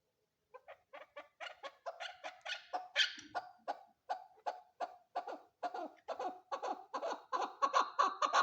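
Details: Female chukar partridge calling: a run of sharp, clucking chuck notes that start sparse and speed up into a rapid, steady series, growing louder toward the end.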